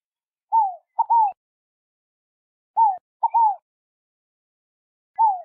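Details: Scaled dove (Columbina squammata), called rolinha-fogo-apagou, song: a three-note cooing phrase, one falling note then a quick pair, repeated about every two and a half seconds against a quiet background.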